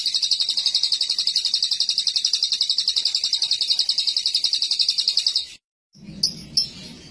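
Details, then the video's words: Lovebird singing ngekek with cililin-style fill-in: one long, unbroken, very high rattling trill of rapid chattering notes held for over five seconds, ending abruptly, followed by a few faint chirps and low background noise. "Burung Lovebird ngekek rasa cililin"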